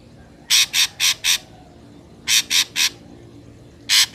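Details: Ashy drongo recorded in nature as a lure for trapping: loud, scratchy, noisy notes in quick groups of four, then three, then a single note, separated by quiet gaps.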